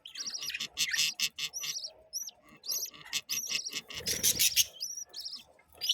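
Budgerigars chatter with fast, high chirps, warbles and clicks in a busy, continuous stream.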